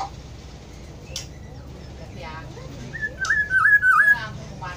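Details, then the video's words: Black-throated oriole: a short run of fluty whistled notes, each slurred down and up, in the last second and a half, after a quiet stretch with faint scattered sounds and low background hum. "kepodang hutan ( black throated oriole )"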